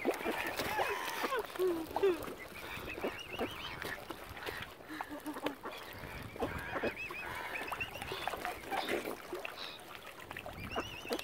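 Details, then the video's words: Mother swan at Lough Neagh, Ireland, angry and hungry because algae has killed her normal food; low honks and nasal calls come in irregular bursts, overlaid by quivering high trills from other waterbirds calling nearby. "ANGRY MOTHER SWAN. HUNGRY AS ALGAE HAS KILLED NORMAL FOOD SUPPLIES."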